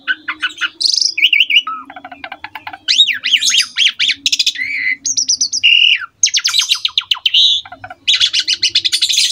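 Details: Long varied master song from a prolific Asian pied starling, for young birds to learn: mixes harsh squawks, wavering looped whistles, clicking rattles and rapid trills, with a faint low hum throughout.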